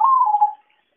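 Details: Zebra dove call played as a trapping lure: one short, rolling, slightly falling coo lasting about half a second, then silence.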